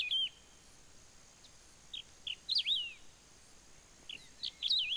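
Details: Wedge-tailed grass-finch (canário do campo) filmed at Ouro Branco, Minas Gerais, Brazil: short high whistled phrases with quick up-and-down warbled notes, given in bursts separated by pauses over a faint steady background hiss.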